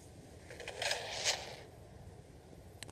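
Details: A male European nightjar gives a dry, scraping rasp in two quick bursts over about a second, like a wooden drawer sliding open, as it raises its head back, a call to attract females, against a faint hiss.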